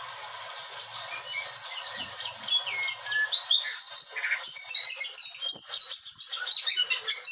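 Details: Captive blue whistling thrush in Bogor, Indonesia, singing in an agitated, energetic way: a stream of varied high whistles, short slurred notes and quick trills that grow louder and busier toward the end.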